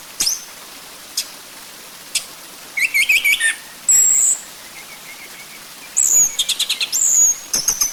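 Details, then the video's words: Orange-headed thrush song used as a lure to make the bird sing: scattered high sharp chirps and thin whistled notes, then bursts of rapid buzzy trills around 6–7 seconds, with quiet gaps between phrases. "Pancingan Ampuh Buat Anis Merah Biar Cepat Bunyi"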